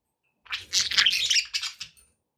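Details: Pet budgerigars, kept indoors: a burst of harsh, scratchy chirping chatter with buzzy high notes running for about a second and a half, then two short separate chirps before silence.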